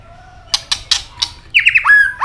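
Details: White-rumped shama in fighting song: four sharp, dry clicks spaced evenly, then a short phrase of quick, slurred whistles that ends in a clear, sustained note.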